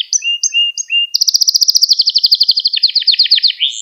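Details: Training song of a canary meant for young birds learning to sing: three short whistled two-note phrases, then a rapid pulsing trill that drops slightly in pitch and speeds up before ending in a rising note.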